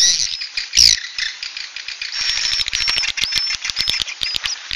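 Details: Swiftlet "suara inap" (roosting call) recording: a dense chatter of high, sharp chirps and short twittering notes, with quick tick-like clicks running through the second half.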